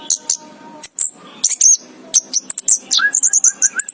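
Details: Chirping orange-headed thrush (anis kembang): a dense, restless stream of very high, thin chirps and squeaky twitters, some slurred downward, ending with a string of lower, evenly repeated short notes.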